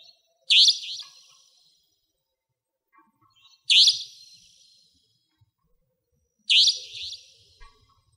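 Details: Savanna Nightjar in Pingtung County, Taiwan, 2014–2015: loud, harsh, high-pitched rasping calls with a short trailing echo, repeated three times at roughly three-second intervals over a quiet background.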